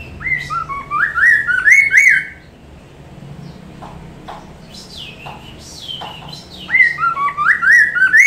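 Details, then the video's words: Laughingthrush (Mandarin poksay) song used as a tutor/lure recording for other birds to answer: loud, rising slurred whistles in quick bursts of about four notes a second, pauses with scattered notes, then resumes. "poksay Mandarin masteran langsung nyaut"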